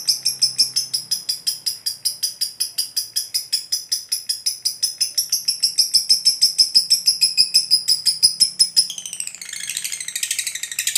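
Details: Lovebird ngekek panjang, a long continuous call meant to provoke other lovebirds into answering: rapid, evenly pulsed shrill chattering, about three notes a second, running unbroken, turning rougher and buzzier near the end.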